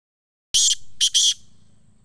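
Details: Black francolin calling in Sindh, Pakistan. Three loud, harsh, rasping notes come in a quick burst: one short note, then a pause and a clipped pair, with a fading tail after.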